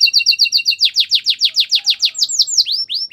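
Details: A Belgian canary sings a rapid tour of paired high notes, moves into longer slurred whistles falling in pitch, then finishes with rising upslurred notes.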